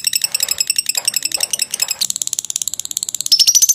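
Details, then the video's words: Lovebird in long ngekek song used to train birds: a fast, scratchy pulsed chatter that jumps to a higher, thinner run of clicks midway, with a brief whistled rising note near the end. "Suara jernih burung lovebird ngekek panjang"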